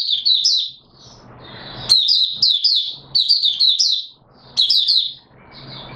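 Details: Caged white-eye called Mata Puteh Raja, singing while still short of full condition: lively bursts of high, twittering notes, each burst several chirps long, separated by brief pauses with low background hiss.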